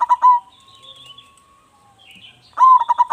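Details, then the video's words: Local zebra dove with a strong voice singing. The tail of one cooing phrase opens the clip, a pause with faint bird twitters follows, then a new phrase starts with a rising note and quick pulsed coos. "perkutut lokal gacor suara besar"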